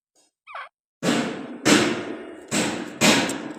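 A francolin gives one short rising note, then four loud, harsh, grating bursts about half a second apart.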